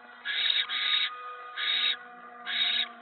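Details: Barn owl nest, mouse delivery at 7:50 PM on 10 November 2017: a doubled harsh hiss run almost together, then two further rough screeching bursts about a second apart, with steady background hum.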